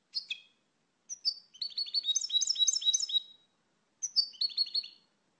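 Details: A European goldfinch sings short twittering phrases: two opening chirps, a bright rolling run of quick liquid notes, a pause, then another brief tinkling burst.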